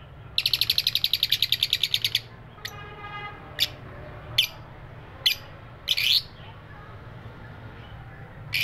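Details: Lovebirds calling: a fast run of about twenty sharp chirps in two seconds, then single loud squeaky chirps spaced roughly a second apart over a low steady hum.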